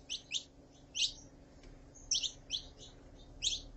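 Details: Saffron finch, female calling and male singing: a few scattered high, sharp chirps, some doubled, spaced about half a second to a second apart over a steady low hum and hiss.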